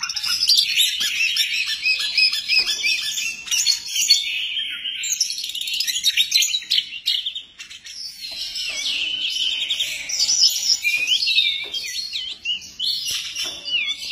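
An Oriental magpie-robin sings a loud, unbroken stream of rich, varied whistles and chattering phrases.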